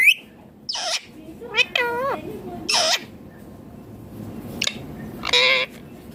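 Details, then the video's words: Indian ringneck parakeet giving loud natural calls: harsh broadband squawks alternating with wavering, harmonic-rich chattering notes, in short bursts separated by brief pauses, in a quiet indoor setting. "Loud Parrot Chirping/Natural Parrot Sounds || Parrot Calling Sounds ||Ringneck Parrot Natural Voice"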